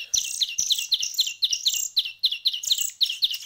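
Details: Hand-reared bird chicks, fed by hand for a week, uttering paired high chirps, each followed by a harsher hiss-like note, repeated roughly every half second.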